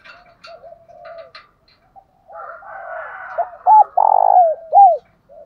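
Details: Spotted dove decoy coo intended to make newly caught caged doves respond; soft murmuring notes lead into sharp looping notes and a loud, vibrating sustained coo ending in a drooping phrase.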